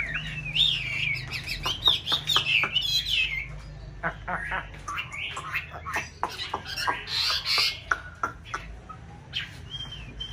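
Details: White Chinese hwamei in a conservation aviary in a mountain town during breeding season, mixing bright whistled flourishes with harsh, squawky chattering notes in an uneven, busy stream, with faint low background hum.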